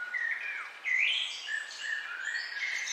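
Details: Morning birdsong: several overlapping clear whistles and warbled phrases, with sliding notes and a steady background chorus, no pauses.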